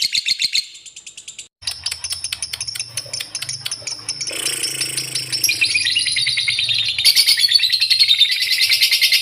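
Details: Lovebird singing a ngekek-style song: long runs of rapid, rattling chatter repeated several times a second, harsh and high, broken by a brief pause then resuming more densely, with a low rumble in the background.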